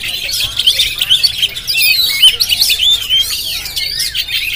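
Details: Oriental magpie-robin of the Jampang type, recorded on a GoPro, singing a dense, fast run of high whistled and chattering notes with sharp rising and falling slurs, delivered almost without pause.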